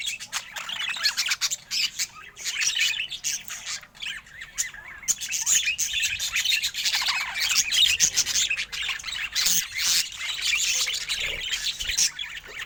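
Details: ['Happy-looking budgerigar with nearly continuous high, scratchy warbling and twittering that barely pauses throughout.']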